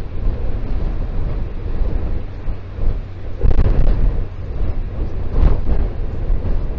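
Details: Heavy wind buffets the microphone, with a deep, uneven rumble that swells and fades and no animal calls.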